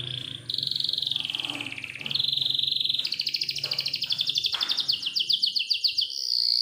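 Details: Canary song meant as a lure for young canaries and those that stopped singing, in a long clear roll style: steady whistled notes, then rapid buzzy trills speeding into a rolling rattle, over a faint low hum.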